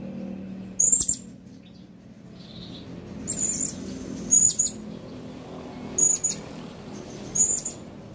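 A blue-crowned hanging parrot gives five thin, very high, sharp notes, each a second or two apart, over a low steady hum.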